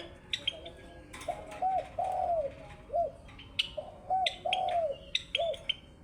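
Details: A Java sparrow (Padda oryzivora) sings a run of soft, low, arched clucking notes mixed with high, thin chirps and tinkling notes, repeated in irregular bursts.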